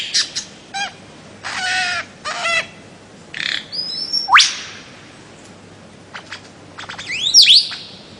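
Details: Bird-of-paradise calls: scattered harsh buzzy bursts and rasping notes, then a sharp upward-sweeping whistle and a high twisting squeal near the end, with quiet gaps between.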